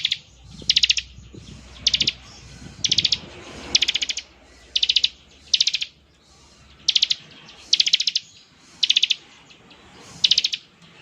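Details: Bar-winged prinia singing in the rapid 'ngebren' style, said to make other prinias answer: short buzzy pulsed high bursts, each a quick run of about five notes, repeated roughly once a second with faint low background rumble.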